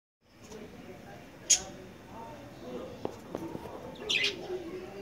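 Budgerigars give two brief, bright chirps over a soft, muffled background murmur.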